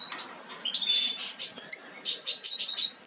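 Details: European goldfinch nestlings nearly ready to fledge make bursts of buzzy, hissing calls mixed with sharp, high chirps and brief whistles.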